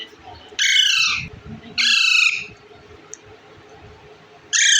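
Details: Indian ringneck parakeet, green, kept as a pet and eating bread; three loud harsh squawks with stacked harmonics, each about half a second, spaced irregularly, over a low background hum and faint rustling.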